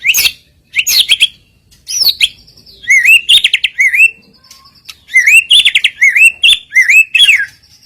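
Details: White-rumped shama filler phrases used as a lure to set rival birds singing: rich varied whistles, rising slurs and buzzy twittering, delivered in loud bursts separated by brief pauses.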